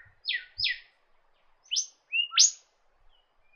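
Norfolk Island golden whistler giving two quick, high, falling whistled notes, then sharp rising slurred whistles, all within about two seconds.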